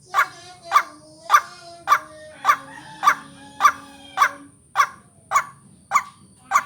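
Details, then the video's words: A white-breasted waterhen call used to lure birds and train their voices: a long regular run of short, rough croaking notes, roughly 100 per minute, with a faint continuous high tone. "Ruak Ruak pikat latihan vocal"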